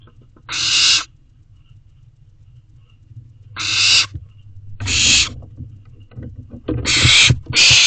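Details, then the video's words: Owlet of a barn owl begging its parents for food from a nest box at night, 16 May 2023: loud rasping hiss-screeches, each about half a second, coming in irregular runs with a faint low hum beneath. "Still Calling to Barn Owl Parents For Food."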